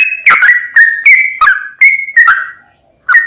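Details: Sooty-headed bulbul singing to provoke another bird: a quick series of whistled slurred notes, then a brief pause before one final note.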